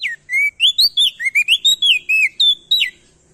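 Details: Clear, loud song of a male crested darkeye from Nusa Tenggara, used to stimulate other birds to sing: a downward slur, then a rapid series of rising and falling whistles ending in two sharp notes.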